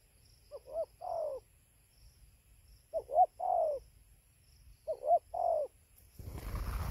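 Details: Spotted dove at 5:20 am by a roost in Gia Lai, Vietnam, 24 November 2020: three quieter phrases of quavering coos, a stuttered double note then a longer falling one, spaced about two seconds apart, ending in loud rustling noise.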